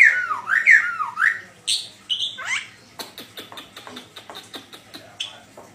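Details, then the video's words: Song of a black-winged starling: several rounded, swooping whistles, a few higher squeaky notes, then an evenly spaced run of sharp clicks. "BURUNG JALAK PUTIH VOLUME YANG CERDAS"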